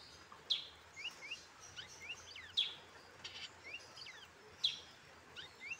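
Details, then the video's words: Tame pet coconut hummingbird, cared for since childhood, giving thin, high chirps and short rising and falling squeaky notes in scattered bursts, with three sharper accented calls spaced about two seconds apart over a faint background hiss. "Coconut hummingbird is very tame"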